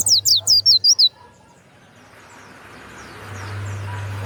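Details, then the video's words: Warbling white-eye, a kept bird with a loud 'ngeplong' voice, giving a quick burst of about six high, sliding whistled notes in one second, then quiet with rising background hiss. "SUARA PLECI YANG MANTAP"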